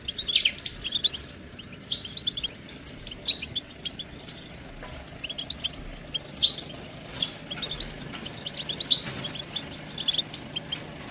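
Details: Goldfinch song made of repeated short phrases of high, thin chirps and twitters roughly every second, over a steady background hiss.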